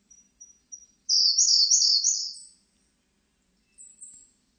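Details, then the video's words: Siberian blue robin singing: a few soft, thin, high pips, then a loud, fast, rattling trill lasting about a second and a half, followed by one faint high note. "쇠유리새, 여러번 듣기, 곤충소리, 새소리"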